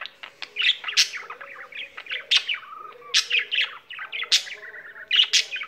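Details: Pet budgie singing continuously: jumbled chattering warble of high squeaky chirps, clicks and short rasping notes, loud accents roughly every second, with a brief nasal whistled note in between.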